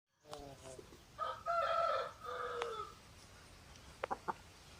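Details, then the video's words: Rooster crowing at a chicken farm among roosters and hens: a harmonic crow of several stepped syllables lasting about two seconds, followed by a few short clucks near the end. "Moment of the sound of a chicken farm, roosters and hens making noise"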